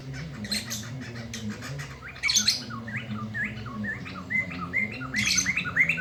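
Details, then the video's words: Black-throated laughingthrush singing loudly at midday, a recording used to tutor young birds: a string of short upslurred whistled notes near two kilohertz, broken by a harsh scratchy burst, over a low steady hum. "SUARA POKSAY MANTEL DI SIANG HARI GACOR"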